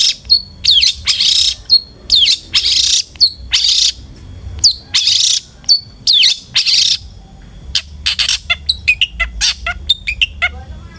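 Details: Long-tailed shrike song played to coax a bird into singing: loud rasping bursts alternating with thin whistled upslurs, then a run of quick high chips and trills.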